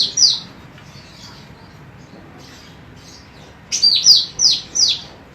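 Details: Training recording of a vigorously singing female cucak rante: a single high, descending whistle, faint softer notes, then a run of four loud, clear, downward-sweeping whistles.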